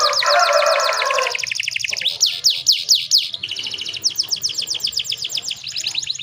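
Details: Female canary in breeding condition, a lure recording to make males sing: a low noisy rush opens, then fast high sweeping trills in quick rolling series, changing to a different pulsed trill midway.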